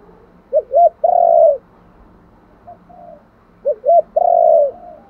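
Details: Spotted dove giving its calling coo, the thúc gù gáy gọi style: two phrases of two short rising coos then one long drawn-out coo, with a faint soft coo between them and quiet background.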